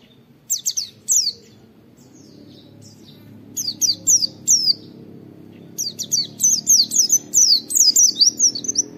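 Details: Oriental white-eye "wit wit" training recording: short clusters of crisp, high, falling whistled notes that grow denser, ending in a fast string of about ten notes, over a low steady background hum.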